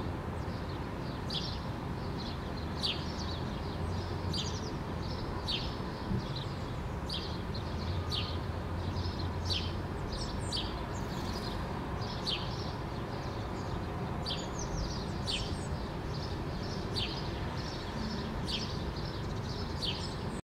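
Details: Male house sparrow (Passer domesticus) perched in an apple bush in Helsinki, Finland, in June 2013, shaking his feathers and giving short, bright chirps about twice a second over a steady low rumble.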